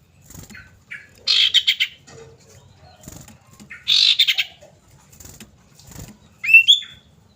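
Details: Calling female common iora seeking a male: two rasping, buzzy bursts a few seconds apart, ending with a single clean rising whistled note.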